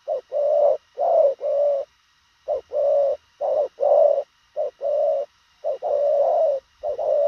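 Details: Spotted dove cooing fast, a quick, clipped style: mellow, low hollow coos in short-long pairs and runs, delivered rapidly with brief pauses, over a faint steady hum.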